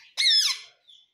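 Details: Pet parrot indoors, said to speak 'Mummy' and 'Papa': one short, loud, harsh harmonic squawk that falls away at the end. A man speaks in Hindi just afterwards.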